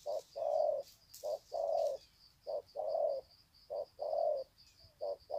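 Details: Spotted doves greeting each other in a long 'sạc gù' cooing bout, Sê San, 21 February 2020: repeated low hollow coos in short-long pairs, steady rhythm, over a continuous high hum.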